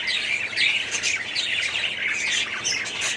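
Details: Budgerigars of an aviary colony, 2017, fill the air with loud, rapid chirping and squawking, overlapping high warbles repeated without pause.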